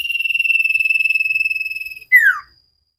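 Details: Common iora song used as a training recording for cage birds: a long, fast trilled whistle held steady and slightly falling for two seconds, then a sharp downward-slurred whistle.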